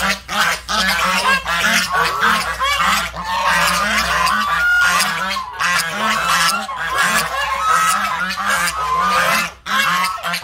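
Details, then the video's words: Geese honking loudly and repeatedly, harsh nasal honks in quick overlapping runs from several birds, with brief pauses, and a faint steady tone in the background. "Goose is the best voice."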